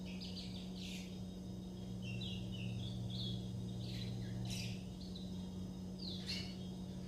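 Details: Churrilhando from young curió, the chestnut-bellied seed finch, owned birds: scattered short chirps and buzzy high notes, some sliding downward, given irregularly over a low steady hum and background noise.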